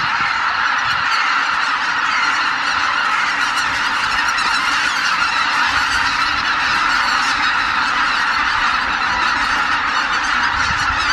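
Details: Massive flock of over 83,000 Greater white-fronted geese departing the roost at Miyajima-numa, Japan, early morning of 23 April 2017 under poor skies; countless high, yelping honks merge into one steady, roaring chorus throughout.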